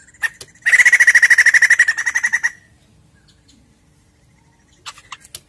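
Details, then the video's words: White-crested laughingthrush singing as a lure for caged birds: a loud two-second stretch of rapid, rhythmic, scratchy cackles that fades out, followed by quiet and a few faint notes at the end. "Pancingan Bunyi Poksay Jambul Gacor!!!"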